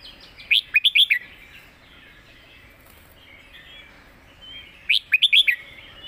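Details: Red-whiskered bulbul master song: a quick phrase of five bright whistled notes near the start, a long quiet gap with faint twittering, then the same phrase repeated about four seconds later.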